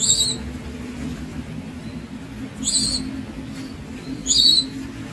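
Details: Young Javan Munia giving short, sharp, high-pitched squeaks, three notes about one and a half to two and a half seconds apart, against a faint low rumble.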